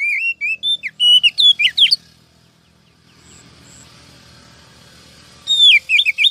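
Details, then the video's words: Female Oriental magpie-robin calling to excite males and lure wild birds for trapping, 2023: bursts of varied sweet whistles and sharp chirps, a silent gap, a faint distant note, then a fresh rapid burst. "Chòe than mái mới nhất 2023 kích trống dụ bổi nhanh ra giọng, file bẫy bánh tẻ"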